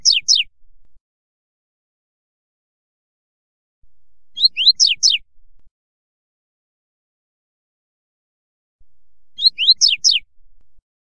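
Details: Double-collared seedeater short song used to teach a young bird: brief phrases of sharp, high, down-slurred notes, repeated every few seconds.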